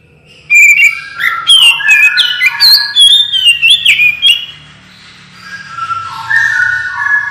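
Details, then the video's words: Oriental magpie-robin song used as a lure to prompt other birds to respond: a burst of loud, varied whistled phrases with sharp up-slurred notes and rapid chatter over the first four seconds, then quieter softer warbles. "suara burung kacer gacor"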